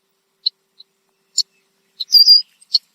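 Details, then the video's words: Red-winged blackbird perched in a tree in Southern Ontario, Canada, giving loud alarm calls, possibly at a nearby animal; sharp, high, isolated chips spaced irregularly, then a brief buzzy note and a final chip. "Red-winged Blackbird Alarm Call"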